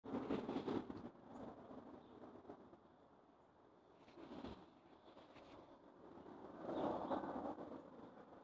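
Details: Rough broadband rustling and rumbling swells at the start and end, with a quieter stretch between and no animal call.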